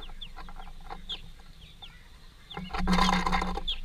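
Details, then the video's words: A greenfinch family feeding at a workplace gives short, high, down-slurred chirps in quick succession, then a burst of loud mechanical clatter with a low hum covers them. "Greenfinch family"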